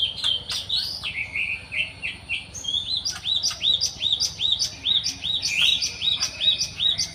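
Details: In the wild, a Java sparrow mixes a few lower slurred notes with rapid, regular high chirps and occasional sharp ticks, over a soft background hum.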